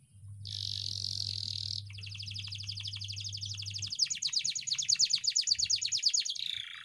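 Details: Canary in long rolling ngeroll song, used as training audio for canaries that sing poorly: a dense buzzy high trill, then a fast run of sharp repeated notes that grows louder and ends in a falling buzz; low steady hum underneath.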